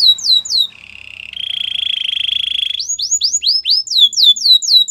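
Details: Song of a white canary: falling slurred notes, then a long, level, buzzy trill held for about two seconds, followed by rapid repeated downward sweeps.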